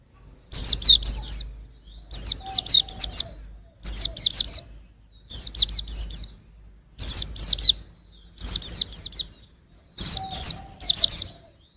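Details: A young white-eye repeats short phrases of three or four bright, high, down-slurred chirps, roughly every one and a half seconds, with a faint low hum underneath.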